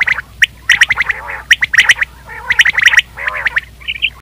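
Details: Quail call used for hunting: short squawky, chattering notes in clumped bursts about once a second, mixed with lower gargling rasps, ending in a brief higher trill.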